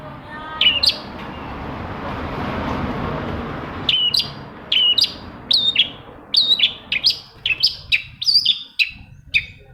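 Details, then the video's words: Long-tailed shrike song meant to prompt silent shrikes to sing. A hiss of noise opens, then a rapid run of short, sharp high notes with small whistled hooks, repeated about once a second. "CENDET MACET SUSAH BUNYI PASTI NYAUT KETIKA MENDENGAR TOETAN BURUNG CENDET INI"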